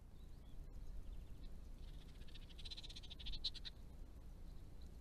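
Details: A hooded robin, a breeding resident on a property in Australia, gives a quick, dry chattering burst of high pulsed notes lasting about two seconds, over a steady low rumble of wind.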